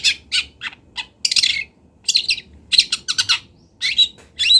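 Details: Long-tailed shrike from Kendal, a master recording for teaching birds, mixes harsh buzzy bursts, quick chattering notes and thin whistled slurs in an uneven, lively sequence.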